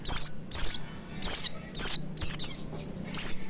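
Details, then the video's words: Oriental white-eye call used as a lure for singing: seven loud, high downslurred whistles in a brisk series, the last note level and slightly rising, with a faint low hum behind. "Pancingan Burung Pleci Agar Cepat Ngalas & Buka Paruh Maksimal"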